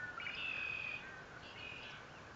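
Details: Bald eagle calling from its Fort St. Vrain nest, 57 feet up, on 21 April 2024, picked up by a live nest camera: two drawn-out, high, reedy whistled squeals, the second softer, over constant hiss.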